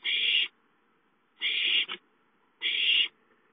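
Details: Owlet begging for food at home on 5-9-13; three harsh breathy screeches about a second apart, the middle one ending in a short extra rasp.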